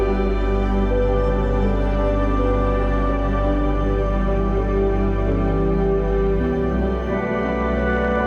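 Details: Soft ambient new-age music with long sustained chords plays throughout.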